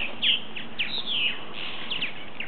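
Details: About ten or eleven purple martins that returned from last year, coming in for the night and cutting up; short bright chirps and downslurred notes scattered through the clip over a steady low background hiss.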